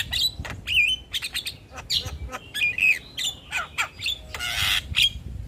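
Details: Javan myna tutor song in 'gacor' style: slurred whistled phrases broken by crisp clicks, ending in a loud burst of harsh, grating rasp before a final whistle.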